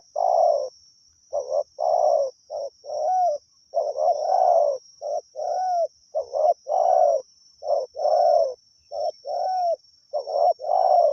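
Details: Spotted dove singing continuously at Pa Roi during decoy calling, praised for its fine voice. Mellow low coo phrases are repeated rapidly throughout, short notes alternating with longer drawn coos, under a constant high-pitched whine.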